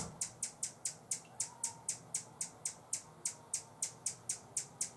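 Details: A Buff-bellied Hummingbird guarding a feeder in San Benito, Texas, on 25 October 2014 gives a warning call: a steady run of dry, high-pitched chips, about four each second, against a quiet background.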